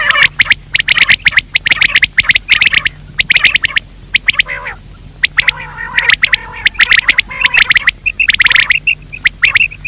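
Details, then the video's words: Daytime lure call of quail: dense, scratchy rattling bursts packed with clicks, pausing briefly between runs, closing with a few clear whistled pips. "Batir ki awaz Quail sound for day part 2( دن کے بھلانے کے لئے)"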